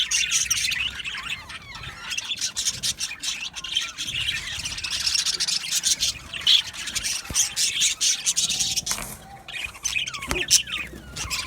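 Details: Colony of Australian budgerigars in an aviary, a dense overlapping chatter of high chirps, warbles and squawks from many birds at once, continuous throughout with no pauses.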